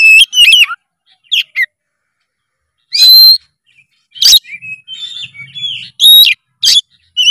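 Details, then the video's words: Oriental magpie-robin song in scattered loud bursts: sharp whistles, brief harsh notes and soft warbled twitters, with gaps of silence between phrases. "JENIS KACER APAPUN SEKETIKA GACOR BILA DENGAR SUARA KACER GACOR FULL EMOSI SATU INI"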